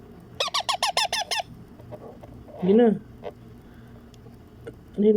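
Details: Baby Indian ringneck parakeet, a pet, being fed: a quick burst of about seven harsh, nasal squawks, evenly spaced. A person then speaks softly, followed by another short murmur.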